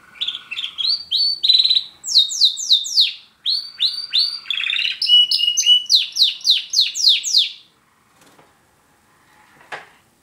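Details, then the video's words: A pet male Border canary sings indoors, with a second canary, a German Roller, in the background: rapid high trills and repeated downslurred notes in fast phrases, about seven seconds of song, then faint scattered sounds. "Border Canary Singing"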